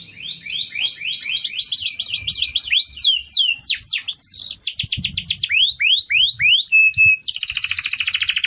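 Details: Canary song for training other birds: accelerating sweeping chirps, varied rising and falling whistles, a level whistled note, then a harsh buzzy trill; soft low knocks in the background.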